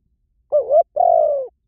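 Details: One spotted dove phrase recorded for luring: a wavering low note rising toward its end, a short gap, then a long even hoot that tails off downward.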